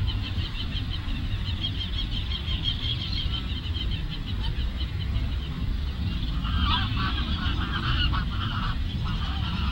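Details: A flock of geese at Lagoa Maior, Três Lagoas, honking almost continuously, with a louder cluster of overlapping calls toward the end and a deep rumble throughout.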